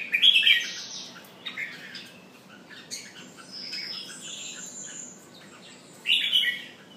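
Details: Jambul (red-whiskered bulbul) pumping and singing: a loud chirped phrase at the start, scattered thin high notes in between, and another loud chirpy burst about six seconds in, with quiet background.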